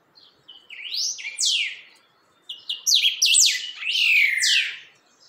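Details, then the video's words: A chalchalero, or creamy-bellied thrush, firming up its song: a soft high note, then two bursts of bright, downward-swooping whistles separated by a short pause, the second burst fuller and more rapid. "Chalchalero afirmando canto"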